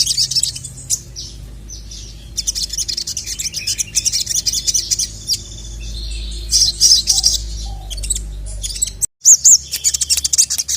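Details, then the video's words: Sogon (Sogok Ontong), agitated and calling a male, gives high, thin chirps and scratchy twitters in irregular bursts, with a quieter stretch and a short break before more high chirps; low hum underneath. "dengar masteran burung sogon memanggil jantan ini"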